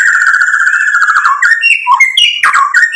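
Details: White-rumped shama singing energetically with a full mimicry repertoire, used as a lure to provoke rival shamas: a long, slightly falling whistled tone, then quick stepped whistles jumping between lower and higher pitches, loud and clear in a small room.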